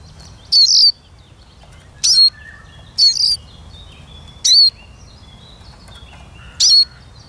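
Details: Captive Eurasian siskin singing outdoors, recorded for use as a lure bird, giving five short, thin, high twittering phrases at uneven gaps of one to two seconds over a quiet, low background hiss.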